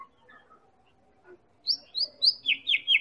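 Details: Medan white-rumped shama lure song, played to stir other birds to sing: faint low murmurs, then six loud high sweeping whistles in steady succession.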